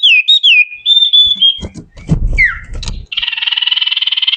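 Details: Common iora, locally called sirtu or cipoh, singing whistled song variations in a chattering style: clear looping whistles that fall and level off, then brief broken sounds and a steady buzzy trill at the end.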